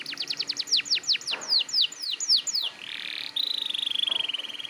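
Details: Energetic 'gacor ngotot' canary song meant to coax untrained young canaries to sing: a run of quick descending whistled sweeps, then a rasping buzz and a long, fast, high rolling trill.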